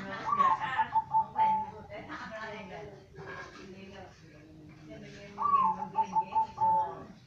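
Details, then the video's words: Zebra dove, part of a kept collection showing various voices and cooing styles: two cooing phrases, each opening with a rising note and then a short run of repeated clipped coos, heard over continuous background chatter. "Perkutut master gacor"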